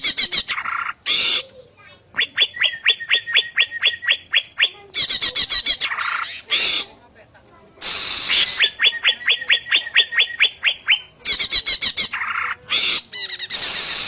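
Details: Greater green leafbird singing to provoke answers from other leafbirds: long stretches of evenly repeated, ringing whistled notes, interrupted by harsh rasping bursts and quick chattering phrases, rich and loud throughout.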